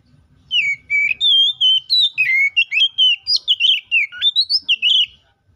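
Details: White-rumped shama singing to challenge a rival and trigger singing in other shamas: a five-second run of clear, fluty whistles, sweeping up and down, some notes dipping low, delivered in quick varied phrases without pause.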